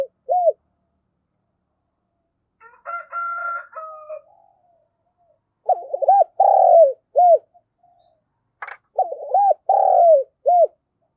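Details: Spotted dove used as a decoy in the morning, calling to lure wild doves: short hooting coo notes in groups of two to four, plus a brief warbled phrase and a sharp click, on a quiet background.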